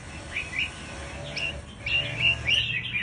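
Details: Lure call of a scarlet-backed flowerpecker: sharp, high, slightly rising chirps, several per second, coming in uneven clusters and growing denser toward the end over a low background hum.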